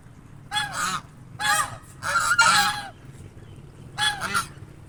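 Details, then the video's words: Swan couple in the shade beneath a bush on a sunny day, calling to signal their presence. Four bursts of harsh, nasal honks come at roughly one-second intervals, some in doubled notes. "Swans making sounds reminding their presence"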